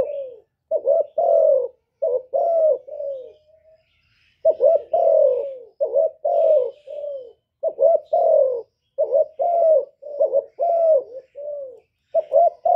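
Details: A spotted dove sings, recorded live to rouse kept doves. Rhythmic series of hollow coos, short paired notes leading into longer falling ones, run on for over twelve seconds with one short break. Faint twittering is heard in the background.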